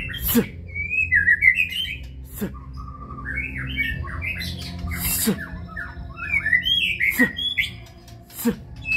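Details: White-rumped shama, kebyok style, singing over background music: varied whistled phrases with slurred rising and falling notes, broken by sharp clicking sounds and a low hum.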